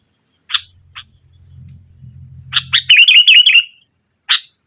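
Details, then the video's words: Sooty-headed bulbul (kutilang) in lively nggaruda-style song, used to prompt a silent bulbul. Two short harsh notes, then a low hum, then a burst of sharp notes running into a bubbly, wavering warble, ending with one more sharp note. "Suara Burung Kutilang Gacor Menekan Lawan NGGARUDA, Pancingan Kutilang Mogok"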